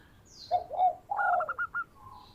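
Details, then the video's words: Singing local zebra dove used for luring: two falling coos, a longer drawn coo, then four quick staccato notes trailing off, with a faint high twitter in the background. "Perkutut Lokal Gacor Suara Merdu Cocok Buat Pikat"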